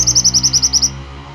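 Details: Lively pied bushchat song used as a training recording: one fast burst of about ten piercing, high, clipped notes, evenly paced and then stopping. Faint background hum.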